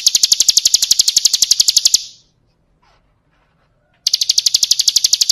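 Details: Bar-winged prinia singing ciblek kristal style, full-fill training material: two seconds of sharp rapid chips, a two-second silent gap, then the same quick high trill starting again.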